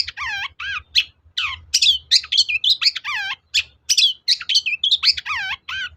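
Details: Long-tailed shrike singing in a lure recording meant to provoke other shrikes to answer. The song is a varied medley of harmonic slurred whistles, some swooping down and up, mixed with harsh chirps in quick succession.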